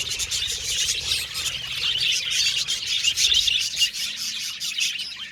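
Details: Happy budgerigars from an aviary colony fill the air with bright, high chirping and bubbly chatter, many short notes tumbling over each other in a lively unbroken stream.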